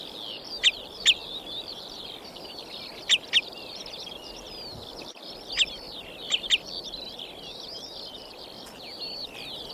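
Common Redshank giving sharp, high, ringing notes, mostly in quick pairs, every couple of seconds over a steady chatter of other birds.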